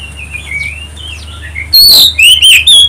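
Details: Oriental magpie-robin singing in a lure recording meant to make other birds respond. Soft, distant whistles give way to a loud burst of sharp, rising and falling whistled notes over a steady low hum.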